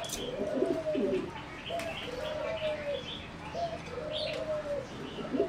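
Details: Zebra dove of a singing competition line bred for about 60 years from wild stock, kept in a flight cage, giving soft low rolling coos repeated every one to two seconds, with faint higher chirps and background noise.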